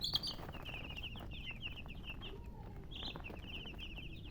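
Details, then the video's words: Chicks cheep in high, quick notes, one louder, shriller call at the start, then a steady run of overlapping peeps with a faint low whine in the background. "Baby "Chicks Chirping" Sound"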